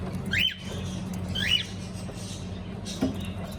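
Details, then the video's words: Cockatiel singing and chirping: two short bright chirps with quick up-and-down sweeps about a second apart, a faint click later, over a steady low hum. "Beautiful Cocktail singing and chirping sounds"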